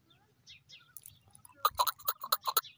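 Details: Male chukar partridge in high spirits gives a quick series of harsh, rhythmic clucks, about five per second, building in loudness after faint chirping notes at the start.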